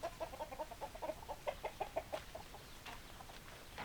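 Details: Hens clucking in quick, evenly spaced short notes for about two seconds, then fading into softer, scattered clucks against a faint hiss.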